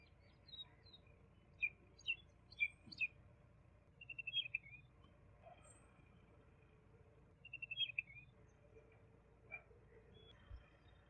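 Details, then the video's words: Young common babbler (Argya caudata) gives a string of spaced, sharp high chirps followed by two brief rapid trills of bright notes, with a low rumble and faint murmur beneath. "Juvenile Common babbler (Argya caudata) Song - Sound - Singing - Call - Voice - Vocals - Chirping"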